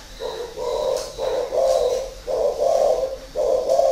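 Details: Caged spotted dove, a seasoned decoy bird kept six years in a cage, cooing in low, hollow, drawn-out notes, each about half a second long and repeated in a steady series of four phrases.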